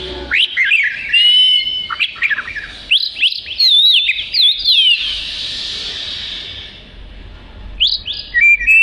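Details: Oriental magpie-robin in lively, chatty song, used as material for training other songbirds: bursts of clear whistled, sliding and trilled notes, a quiet pause of about three seconds, then sharp rising whistles resume.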